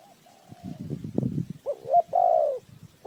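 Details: Spotted dove used as a decoy for bird trapping. A soft, slightly rising coo is followed by a break of low thumping knocks, then louder, rounder coo notes.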